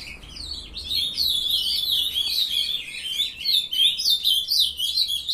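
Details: Several captive-bred young ultramarine grosbeaks, with one just starting to sing, on 23 June 2020 at 7:21 am, give a dense, overlapping jumble of high, sweet chirps and warbled phrases, tumbling rapidly, several each second, with no pause.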